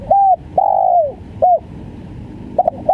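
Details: Hollow coos of a spotted dove in the stuttering 'gagap' style: short coo, long falling coo, short coo, then a stammered start of the next phrase, over a quiet hiss.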